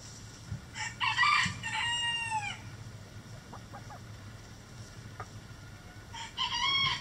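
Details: Crowing rooster in a backyard chicken coop: a loud, hoarse cock-a-doodle-doo ending in falling notes, a few soft clucks in the pause, then a second crow begins; low steady hum throughout.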